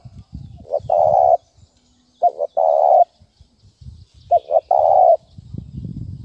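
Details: Spotted dove, 'thúc bổi' call for luring: three repeated phrases of a brief double note and then a long even coo, roughly every two seconds, with soft low knocking noises.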